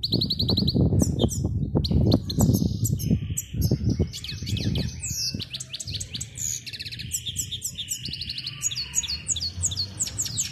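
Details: Goldfinch in training, singing for a female: dense, continuous twittering with rapid trills and buzzy notes. Loud low thumping and rumbling noise fills the first half, then fades, leaving steady chattering song over a faint hum.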